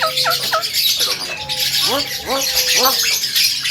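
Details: Male Javan myna said to talk, giving paired descending chirps, a long sliding whistle, and three loud arched squawks in quick succession.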